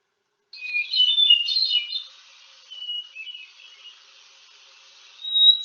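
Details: Hermit Thrush, a song expected in New England woods with the spring ephemerals as April unfolds: a fluty, shimmering phrase, then softer, lower notes and a high clear note. Phrases come a few seconds apart at shifting pitches.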